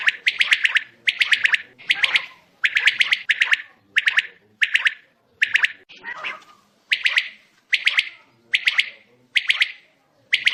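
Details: A quail at night gives harsh, buzzy, clicking bursts, each a quick cluster of notes, repeated about once every 0.7 seconds without pause.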